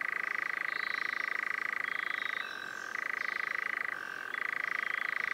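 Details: European nightjar (Caprimulgus europaeus) churring: a continuous, rapid, dry mechanical trill, pulsing about 200 times a minute, that drops to a lower, quieter pitch for about half a second twice before resuming. Faint higher notes are in the background.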